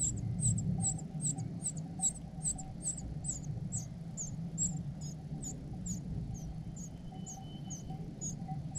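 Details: Cuckoo chick cared for and fed by its foster parents, giving thin, very high-pitched begging notes repeated rapidly, about four per second, fairly faint over a steady low rumble.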